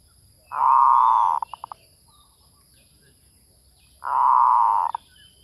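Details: Zebra dove calling as a lure: two long, loud, buzzy rolling coos about three seconds apart, the first trailing into three quick short notes.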